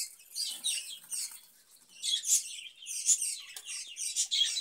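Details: Chattering budgerigar in a cage during summer, where it is given cucumber: rambling high twitters and scratchy notes, softer in the middle and then rising again with sharp squeaks.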